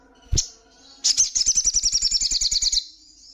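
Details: Female ruby-cheeked sunbird in breeding condition calling the male: one sharp high note, a pause, then a rapid high buzzy trill of about fifteen even notes lasting nearly two seconds, with soft low knocks beneath.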